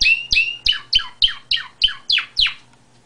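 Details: Canary singing: a rapid, evenly paced run of nine bright, high syllables, each a sharp downward sweep with a sustained whistled tone, about three and a half per second, ending abruptly in near silence, with faint low clicks beneath.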